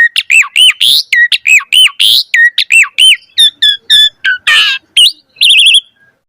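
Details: Javan pied starling singing vigorously in the pumping style, used to prompt young starlings to sing: loud, rapid arched whistled notes with bright overtones, repeated about once a second, then a few harsher buzzy notes near the end.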